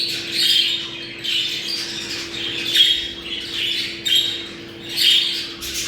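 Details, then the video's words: Budgerigars chattering in a breeding-stimulation recording: pulses of squeaky warbling roughly every two seconds, interspersed with clear short whistles, over a low steady hum. "Muhabbet kuşu kızıştırma sesi. Muhabbet kuşu çiftleşme sesi"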